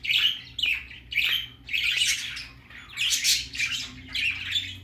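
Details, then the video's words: Young budgerigar going out for the first time, producing a string of rough, scratchy squawks and chirps in quick bursts, loud and high, over a faint low hum. "Baby parakeet first time go out"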